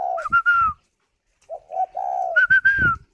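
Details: Spotted dove kept at a bird farm in Ba Vi, Hanoi, Vietnam, cooing while sitting on eggs: short low hollow coos, then a run of higher whistled notes, twice with a pause between, indoors and quiet.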